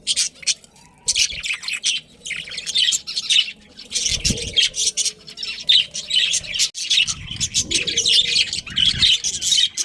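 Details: Chattering budgerigar colony with breeding birds, many high chirps and harsh squawky notes overlapping in busy waves of sound, with occasional soft thumps of movement.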